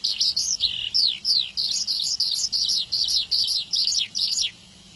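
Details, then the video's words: A Horsfield's bush lark sings a fast, continuous run of high, sweet chirps and descending slurred notes, bright and varied, with no other sounds. "branjangaan gacorr gacor ,istimewa"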